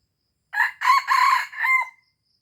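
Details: Aceh red junglefowl lure recording with a single strong crow: a brief first note, two rasping, choppy phrases, then a closing phrase that ends in a steady held tone. Faint high peeps follow, with silence otherwise.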